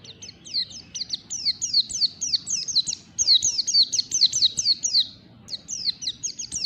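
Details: Morning ngalas-style song of a white-eye, a near-continuous stream of high, quick, downward-slurred twittering notes that pauses briefly near the end before resuming.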